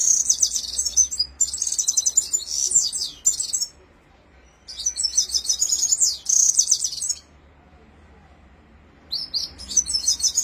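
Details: A red-fronted serin (Himalayan finch) gives its rolling song of high, rapid, jingling twittering phrases, each about three seconds long, with short pauses between them and nothing else heard.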